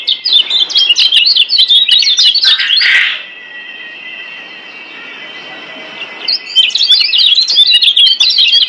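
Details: A Lombok yellow white-eye (kecial kuning) sings a rapid, high twittering warble of jumbled chirps as a master-song recording, broken by a three-second lull with a thin steady tone before the chatter resumes.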